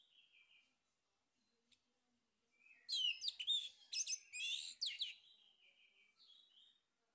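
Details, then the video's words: Male orange-headed thrush (anis merah jantan) sings a rich, varied phrase of fast whistles and sweeping high notes, with softer thin notes before and after and no other sounds; a lure song. "PANCINGAN ANIS MERAH JANTAN PALING POPULER"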